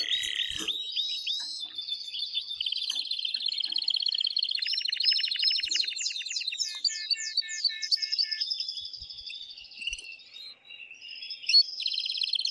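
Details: Excited male canary singing hard to stir the female into mating. It gives long rolling trills, rapid buzzy rattles and fast repeated chips in changing tours, a continuous high twittering with brief pauses and a soft tap near the start.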